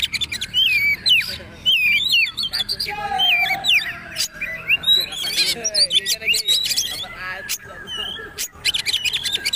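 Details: Poci-type Oriental magpie-robin in trotol style for caged birds to learn: bright down-slurred whistles in a run, a lower drawn-out whistle, then buzzy chatter and dense rapid clicks.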